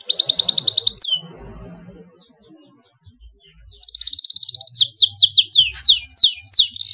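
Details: Loud domestic canary song. A burst of rapid high trill breaks off to a quiet stretch with a faint low murmur. The song resumes with a rolling trill and sharp descending whistled swoops.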